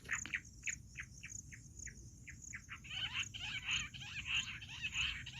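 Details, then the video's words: Jungle bush quail calling, a sound used for hunting: a measured series of short, clipped notes that grows into a louder, dense, overlapping chattering chorus, with a steady high whine behind. "Amazing Quail sound || Battair shikar awaaz || Bush quail voice| baredd Junglee gundri awaaj"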